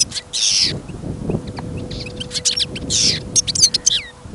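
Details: European goldfinch, a caged bird on trial listening, taken along on a trapping outing in fresh snow and wind; it gives harsh buzzy rasps alternating with bright, rapid twittered phrases over steady wind noise.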